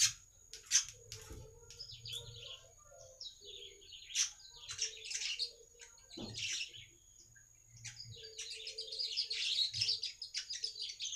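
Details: Baya weaver song meant to attract other weavers: an extended run of scratchy chattering notes and short sharp chips, building into a long, continuous wheezy buzz at the end, with a faint low hum.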